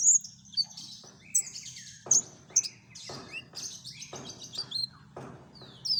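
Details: [1, 'likely', 'song', 'Common iora lure song, full of varied song material: thin high chirps and sharp whistled notes alternate with short buzzy bursts, about one phrase every second, over a low steady hum.']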